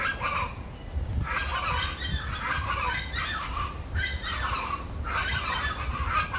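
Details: Chachalacas calling in a loud, harsh, repeated chorus, with bursts of grating notes returning about every two seconds over a low background rumble.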